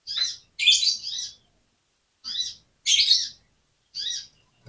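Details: Oriental magpie-robin sound used to get a lazy bird to answer and respond: short harsh chattering bursts, spaced unevenly about a second apart, with silence between.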